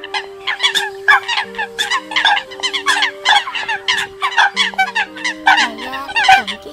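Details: Eurasian coot calls used to lure birds for catching, October 2020: many birds give loud, clipped, nasal notes in quick, uneven succession, stacked over one another, with steady low tones in the background.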